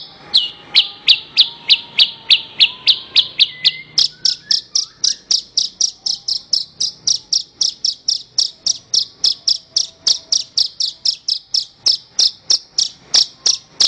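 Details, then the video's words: Horsfield's bush lark on a recording for training other songbirds: an unbroken string of bright, high chips that speeds up and grows louder, about four each second, with scattered soft lower whistles underneath. "Ocehan Suara Burung Branjangan"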